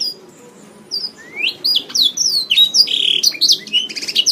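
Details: A canary in a training master recording opens with a single upward whistle after a quiet start, then builds into rapid bursts of high chirps, buzzy notes and falling slurs.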